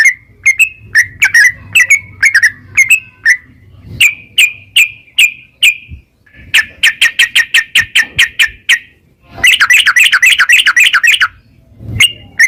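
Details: Yellow-vented bulbul singing in the narung ropel style, meant to stimulate another bird to sing: slurred whistled notes at a steady pace, then two fast buzzy trill bursts of rapid repeated notes, with a soft low hum beneath.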